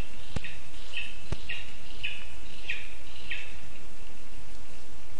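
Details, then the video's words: Begging lesser spotted eagle nestling, hungry, in a spruce nest in Latvia's Zemgale region, August 2024: about six shrill, piping calls spaced under a second apart, preceded by two sharp clicks, with hiss throughout. "ПТАШЕНЯТКО ХОЧЕ ЇСТИ. ПІДОРЛИК МАЛИЙ."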